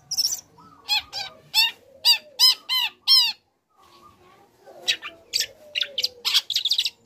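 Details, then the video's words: Young long-tailed shrike song, played to provoke other shrikes into answering: a series of six loud, ringing, downward-swept notes at even intervals, a brief pause, then quicker scratchy chattering notes. "Pancingan Emosi | Cendet Muda Gacor Belajar Materi Bikin Cendet Manapun Auto Nyaut Emosi Ikut Bunyi"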